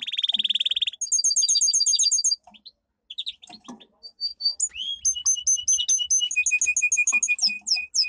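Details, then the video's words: Caged domestic canary in powerful training song: a loud buzzy roll, a fast ringing trill run, brief pause, then repeated sharp rising and falling whistled notes in quick succession. "Canary singing - 2 Canary 's most powerful song for training"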